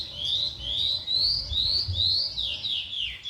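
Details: Oriental skylark singing a series of rising high whistled phrases, each about half a second long and repeated in quick succession, then falling slurred notes.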